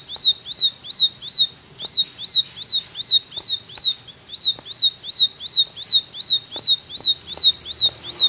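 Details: Bar-winged prinia delivering a rapid 'tembakan' burst: a clear whistled note that dips and rises sharply, repeated steadily about two to three times per second. Faint clicks and a low hum sit underneath.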